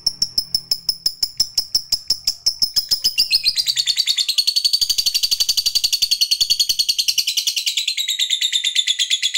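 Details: Fighter lovebird used to provoke other lovebirds, starting with evenly spaced high ticking notes that speed up, then merging into a long, fast, shrill 'ngekek' chatter that carries on to the end.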